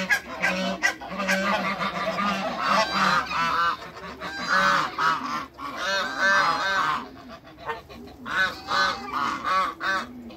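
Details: A group of African and Toulouse geese greeting new geese honk loudly and repeatedly, nasal calls in clusters that fade and swell over ten seconds.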